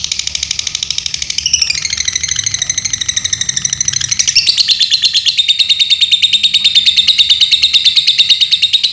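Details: Lovebird kept in Paduraksa, Pemalang, Central Java, Indonesia, singing a long, unbroken rapid trill of buzzy, high chattering notes, the pitch sliding downward near the start and then holding steady for several seconds.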